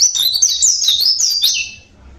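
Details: Oriental white-eye of a local Javan type, natural voice: fast, very high warbling twitter of tightly packed squeaky notes, continuous for about one and a half seconds, ending in a short dropping note before quiet.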